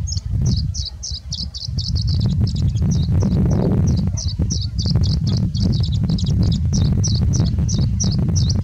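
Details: Singing bushlark singing with much mimicry: a fast run of short high chirped notes, roughly three per second, steady throughout over constant low rumbling wind noise.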